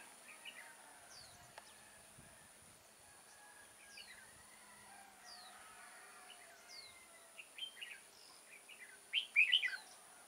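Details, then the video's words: Red-whiskered bulbul used as a decoy bird for trapping, recorded 6 October 2018. Scattered, faint whistled and chirping notes lead to a loud burst of rapid, warbling phrases near the end. Other birds call faintly in the background. "Bẫy chào mào Mào đá lân hầu bò nết căng xòe"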